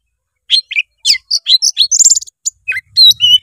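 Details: Oriental magpie-robin in loud song, aimed at getting a lazy young bird to sing; a rapid chain of short, varied whistled notes climbing higher, ending in a slurred phrase and clear held whistles.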